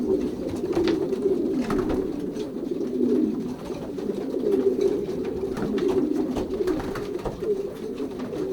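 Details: Young racing pigeons in a loft during pairing, 2023 season, Pruszków branch, Poland. They give a continuous low murmur of overlapping coos from many birds indoors, with faint scattered clatter.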